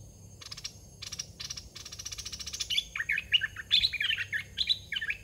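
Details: Red-whiskered bulbul kept in a cage as a decoy for luring wild birds. The clip opens with buzzy rattling bursts, then moves into cheerful liquid warbled phrases of several quick notes repeated without pause.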